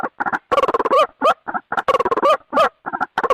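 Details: White-breasted waterhen lure call for trapping: stuttering clusters of fast harsh notes with some rising, nasal croaks, grouped into bursts with short silences between.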